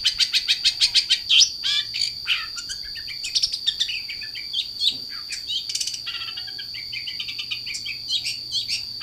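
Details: Long-tailed shrike singing energetically: a quick string of evenly spaced sharp notes at first, then a mix of chattering trills, slurred sweeps and short chips over a constant high-pitched hum.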